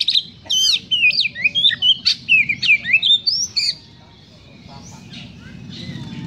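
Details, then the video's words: [['Rapid harsh phrases from an Oriental magpie-robin, sung to stir up emotion: about a dozen loud sharp zigzag whistles and rasps in quick succession for nearly four seconds, then near silence with faint distant notes.']] "Kacer Gacor Suara Kasar Ampuh Dongkrak Emosi | Magpie Robin Singing"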